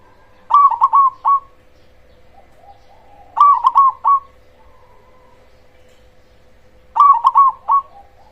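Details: Cemani zebra dove with a big voice, singing steadily as a lure to provoke other zebra doves and raise their breeding drive: three stuttering coo phrases of four quick notes, about every three seconds, over a steady faint hum.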